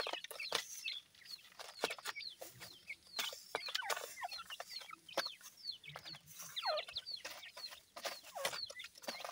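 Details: Feeding grey francolin chicks give a busy stream of high, thin, falling peeps, many birds calling over each other, with frequent sharp clicking and tapping noises between the calls.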